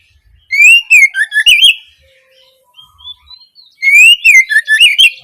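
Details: Oriental magpie-robin (kacer) singing the opening phrases used to coax young birds to answer: two clusters of five or six slurred whistles, rising then dipping, with faint soft notes in the gap between them.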